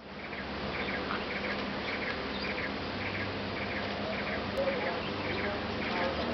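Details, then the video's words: A juvenile scaly-breasted bulbul in Khao Luang National Park, 25 May 2013, gives short, bright chirps in quick pairs and triplets, about twice a second, over a steady background hiss and low hum. "Scaly-breasted Bulbul, juvenile"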